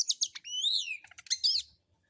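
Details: Oriental magpie-robin, called kacer, playing solo with harsh material as a lure for other birds: sharp high chips, an arched sliding whistle, rapid ticking notes and a scratchy warbled phrase.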